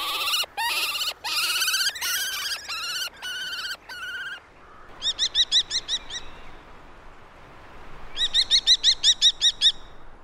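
A common kestrel gives a loud, harsh string of high notes, then two quick runs of sharp repeated 'kee-kee-kee' notes, about eight in each burst.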